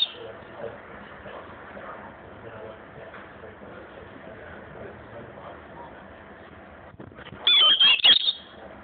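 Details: Very tame European robin living alone inside a garden centre gives a brief burst of thin, high, warbling notes near the end, after several seconds of quiet indoor hum and murmur.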